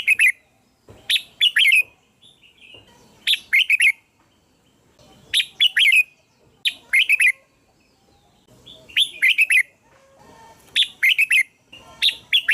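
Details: Red-whiskered bulbul lure song: cheerful, rollicking phrases of three to four bright warbled notes, repeated about seven times with irregular gaps, clear and loud against little other sound.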